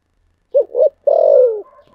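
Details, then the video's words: Spotted dove singing in the local thổ sấm voice: a pair of brief low coos, then one long buzzy coo that descends at its end, followed by a faint trailing note. "cu gáy giọng thổ sấm"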